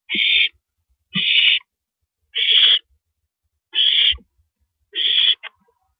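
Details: An owl at 1:27 AM, April 9, 2012, while a female gulps down a rabbit: five hoarse, hissing screeches spaced a little over a second apart, with brief thumps and a short click.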